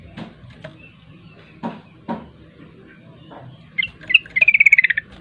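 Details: Several dull thumps, then a kept sooty-headed bulbul bursts into a fast 'ropel' phrase of rapid, closely repeated bubbly notes near the end.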